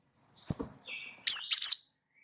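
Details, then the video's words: Java sparrow, wingko type, in lively rolling song used for tutoring: a few soft clicks and faint tones, then one loud burst of three high, ringing chip notes. "gelatik wingko gacor ngeroll pancing bunyi suara masteran burung gelatik"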